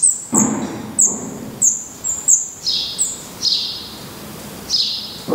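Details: Nest of black redstarts in Portugal: the chicks, eyes now open and feathers growing, give sharp high begging squeaks at irregular intervals, mixed with lower-pitched descending whistled notes and soft thuds.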